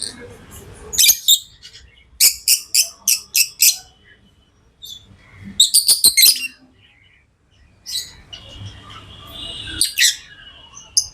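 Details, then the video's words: Pet lovebirds chirping in fast runs of sharp, shrill notes, five or six quick chirps in a row, then pauses, with softer twittering and a faint low household rumble behind. "Love birds Sounds | lovebirds chirping sounds"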